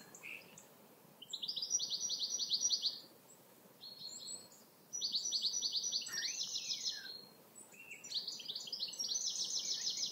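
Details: Common chaffinch song: loud, bright trilled phrases of rapid repeated notes, each about one and a half seconds long, delivered three times with short pauses, plus a few thin calls from other birds.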